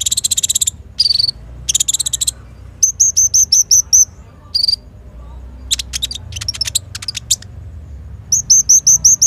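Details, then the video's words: Sunbird known locally as kolibri ninja, singing actively as training material for young birds; dense buzzy rattles alternate with runs of thin, high, hooked chirps and scattered sharp ticks. "KONIN GACOR FULL ISIAN TEMBAKAN"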